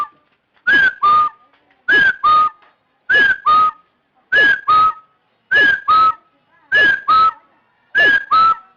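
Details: Loud repeated whistled call of a partridge: each phrase pairs a bright slurred note with a slightly lower flat whistle, given seven times at an even pace of roughly one per second and a quarter.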